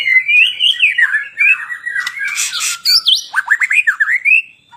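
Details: Magpie-robin singing a long varied song of wavering whistles, brief harsh buzzy notes, then quick rising and falling whistled phrases in a rapid series.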